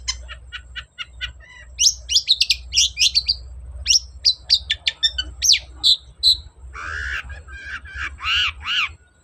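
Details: Long-tailed shrike singing hard as a provoking lure: a rapid string of short ticking notes, then varied sharp chirps and whistles, ending with several harsh, broad rasping calls.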